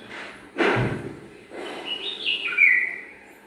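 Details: Two dull knocking or rustling thumps, apparently from nest-building work, then a brief liquid whistled phrase with descending notes, made by a bulbul pair preparing their garden nest.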